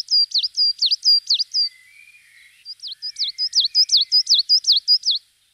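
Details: Coal tit singing: high, thin two-note phrases that dip and rise, repeated rapidly in two bursts separated by a short pause with faint lower twittering.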